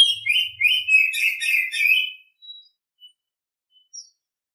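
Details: In the morning an Oriental Magpie-Robin delivers about two seconds of loud, rapid warbling with clear whistled notes and buzzy overtones. It then falls quiet apart from a few soft isolated chips.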